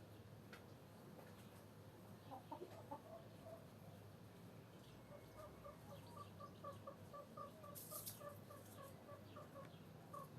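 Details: Hens with a rooster, clucking: a long run of short, pitched cluck notes repeated quickly and evenly for several seconds, with a few louder bursts near the start and a low steady hum underneath.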